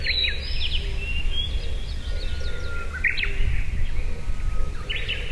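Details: Blue-and-white flycatcher singing in the Tochigi Prefectural Forest, May 2019, binaural recording: clear, high whistled phrases with quick slurred notes, repeated several times; other birds call faintly over a steady low rumble.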